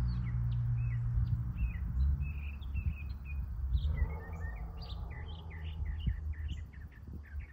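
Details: In the morning, a male Northern Mockingbird sings multiple songs, running through quick, varied chirps and short high phrases, several notes each second, over a steady low rumble of background noise.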